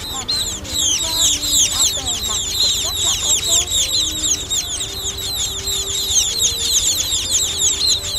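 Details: Juvenile munias used as a netting lure give a constant chorus of thin, high, falling chips, many birds overlapping without pause, over a soft low hum and scattered faint tones.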